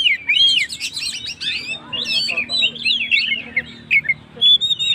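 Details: Energetic kacer, Oriental magpie-robin, singing as a provocation for stressed birds: clear curved whistles and quick rattles, phrases broken by short gaps, ending with high thin drawn-out notes.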